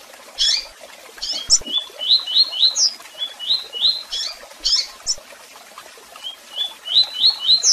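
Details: Double-collared seedeater singing with chirps and calls: repeated runs of short rising whistles, roughly four per second, broken by loud high chirps, phrase after phrase over faint hiss.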